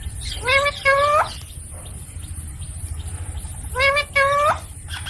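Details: Baby Indian ringneck parakeet talking: two nasal, harmonic two-syllable utterances about three seconds apart, each syllable bending upward in pitch, over a steady low hum.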